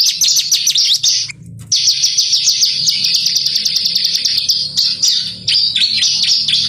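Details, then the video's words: Bar-winged prinia lure song to make caged birds sing: fast, high, ringing trill of evenly repeated notes, broken by a short pause before resuming, with a faint low rumble underneath. "pancingan burung ciblek gacor"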